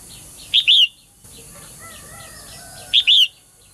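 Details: Two loud double chirps about two and a half seconds apart, a female bird calling to get males singing briskly; between them faint rapid chirping and a few soft lower whistles from other birds.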